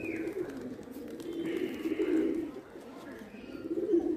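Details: Indian pigeons at play, with a steady low murmuring coo that swells and fades over a few seconds, in a quiet indoor-sounding space.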